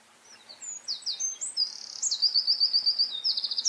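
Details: Eurasian wren song opening with scattered high chirps, then accelerating into loud rapid trills of repeated sharp notes, a dense twittering burst in clear outdoor conditions.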